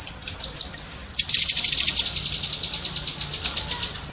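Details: Training chatter of a cucak kinoi bulbul for pet birds: evenly spaced high ticks that swell into a dense buzzy rattle, then return to separate sharp notes.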